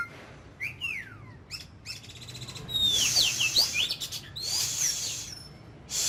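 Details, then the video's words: Oriental magpie-robin kept as an ornamental bird, singing in a 'kích lửa' (fire-up) style for daily voice training: sweeping whistled slurs and falling notes, then a burst of bright, quick twittering phrases with short pauses between. "Chòe than hót,kích lửa.Luyện giọng mỗi ngày"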